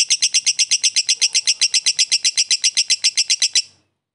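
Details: Fighter lovebird ngekek chatter used to provoke a rival: a tightly regular series of about fifteen loud, high, buzzy notes, four per second, stopping abruptly before the end.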